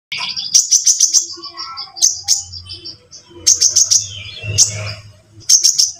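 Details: Sunbird song used as a lure to make other birds start singing: rapid high chirping bursts and sharp ticking notes in repeated phrases, with a low background hum.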